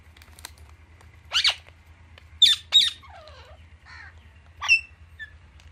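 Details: Pet Alexandrine parakeets with Indian ringneck parrots playing with palm fronds: loud harsh screeches at about 1.4, 2.5 and 2.8 seconds, a softer descending chattering call, then a sharp squawk near 4.7 seconds, over a steady low hum.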